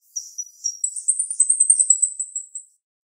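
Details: Sharp-voiced female jalak rio-rio starling giving a rapid trill of very high, thin notes, about ten quick pulses in a continuous run lasting roughly two seconds after a few scratchy opening notes.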